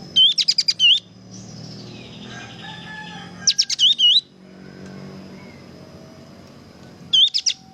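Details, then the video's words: Kapas tembak in full energetic song, for training other birds: three bursts of rapid high chips mixed with bouncy looping whistles, a few seconds apart, with a steady thin whine and faint low hum. "masteran handal suara burung kapas tembak gacor"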